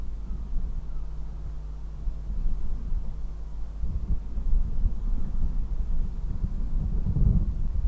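Steady low rumble of wind and distant traffic, with no animal calls heard.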